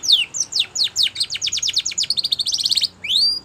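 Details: Spanish Timbrado canary, song meant for training: quick falling whistles speed into a rapid trill, then a metallic rattling phrase and two rising slurred whistles.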